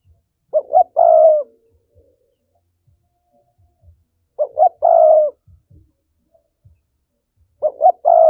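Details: Spotted dove giving the urging 'thúc' coo, used to provoke wild doves toward a trap: three hollow, low-pitched phrases roughly every three and a half seconds, each of two short notes and a sustained coo, with quiet low knocks between.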